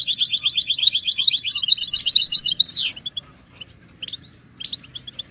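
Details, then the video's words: European goldfinch song for stimulating silent caged birds: a rapid, even rattling trill of repeated high notes lasting about two seconds, ending in a falling slur, then scattered soft chirps. "بتبتة الحسون تحفيز الحسون على التغريد والهيجان علاج صمت الحسون goldfinch stimulation"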